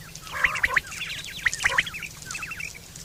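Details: Quail, recorded September 2023, giving a call used for hunting and mating: two clear sets of three short, sharp, liquid notes, with softer rapid chirping trailing after.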